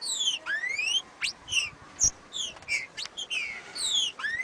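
Green-winged Saltator singing rich, fluty whistles: quick rising and falling slurred notes in short phrases, about two or three per second, over a faint background hiss.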